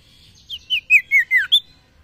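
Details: Male Common iora (sirtu) calling to a female: six quick whistled, slurred notes in about one second, each dropping in pitch, ending on a higher note.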